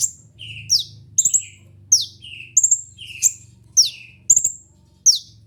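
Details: Kolibri ninja, a caged songbird kept for lure and tutor song, gives a lively song of high squeaky whistled notes alternating with lower buzzy slurs, phrases roughly every half second, over a faint low hum.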